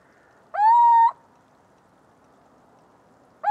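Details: Little owl song: one full rising, sustained hoot of about half a second, then quiet hiss, and the start of the next identical note near the end.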